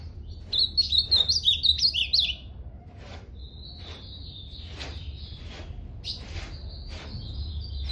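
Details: Ultramarine grosbeak singing one fast warbled phrase of slurred, high whistled notes lasting about two seconds, followed by faint distant chirps and a low background hum.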